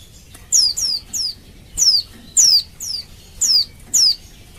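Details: Female Oriental white-eye in heat calling males, meant to make them sing: piercing high notes dropping in pitch, repeated in clusters of two or three with short gaps, about nine in under five seconds.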